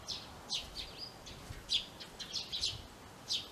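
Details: Eurasian tree sparrow, a female looking over nest-box rooms inside a garage in a yard, giving a busy run of brief high chirps and tweets, irregularly spaced, some soft, with low rumbling background noise.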